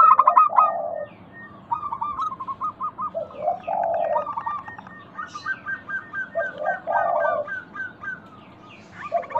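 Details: Local zebra dove song used as a lure to prompt other doves to answer: rapid staccato cooing notes run in quick series, broken by longer, lower rolling coos, with pauses between phrases.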